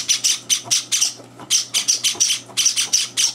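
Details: Indoor Java sparrow nestlings clamouring for food while two older birds butt in; dense strings of loud high harsh chirps with brief gaps, steady mains hum beneath.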